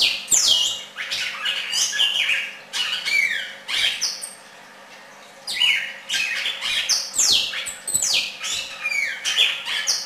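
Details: Red-crested cardinal in song, with bright slurred whistles and harsh, buzzy squawk-like notes in dense bursts, then a gap of about a second near the middle before the varied phrases resume, over a low steady hum.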